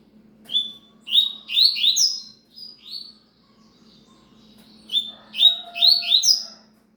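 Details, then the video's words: Song of a rusty-collared seedeater: two bursts of loud whistled phrases with quick upward-sweeping slurs and a few softer single notes between them, over a constant soft low hum. "coleiro cigano"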